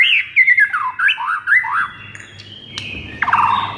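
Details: White-rumped shama song used as a lure to stir a sluggish shama: rapid, warbled, zigzagging whistles, a pause, then a louder buzzy phrase at the end.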